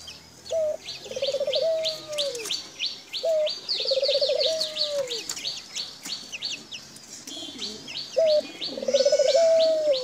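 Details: A caged foreign (non-native) dove in Bangladesh gives a low, rolling, purring coo that swells and fades roughly every three seconds, while fast, high chirping from other small birds runs throughout.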